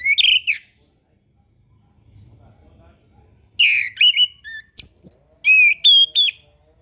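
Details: Master song of an orange-headed thrush for young birds learning the ngeplong style; a warbled opening note, silence, then a varied string of slurred whistles and sharp high chips.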